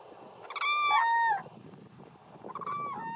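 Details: Cranes taking off in the morning: a loud, rich trumpeting call with a downward slur lasting under a second, followed after a pause by a second, similar call, over a soft background murmur.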